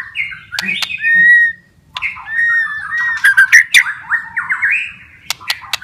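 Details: White-rumped shama singing, for stimulating lazy or stressed shamas back into song: clear drawn-out whistles and slurred warbling phrases with scattered sharp clicks and a faint low hum.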